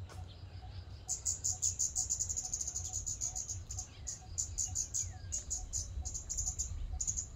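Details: A Scarlet-backed Flowerpecker, a species with a sharp, thin call audible at long range, recorded in a public park, gives very high, thin ticking notes in quick runs and short bursts over a low, steady background rumble.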